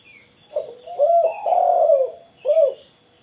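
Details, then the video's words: After its morning sunning a spotted dove gives a soft opening coo, a long drawn rolling coo, then a crisp short coo, deep and mellow, with faint distant twitters from other birds. "burung tekukur derkuku gacor setelah jemur pagi"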